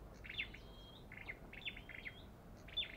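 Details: A belligerent wild olive-backed tailorbird (Orthotomus sepium) gives bursts of high, sharp chips with brief thin whistles, several in three seconds, over a low background rumble.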